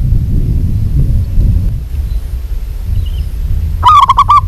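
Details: Low rumbling background noise for several seconds, then a local zebra dove breaks in with a fast run of hollow, clipped cooing notes that is cut off at the end.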